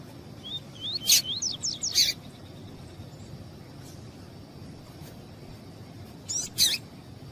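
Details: A female double-collared seedeater calls to excite a male, starting with a run of thin, rising whistled notes. Two harsh, high chips follow, and after a pause comes another pair of whistles and chips.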